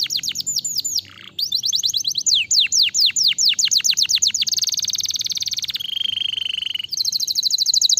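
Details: Canary song used to get other canaries singing: a quick rattle, then a string of steep downward whistled sweeps, changing to a sustained buzzy trill and a lower rolling trill before a fast high rattle returns.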